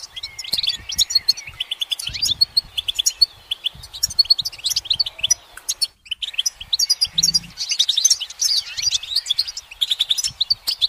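A goldfinch sings a fast, tinkling stream of high twitters and buzzy trills, nearly unbroken with one short pause. No other sounds stand out.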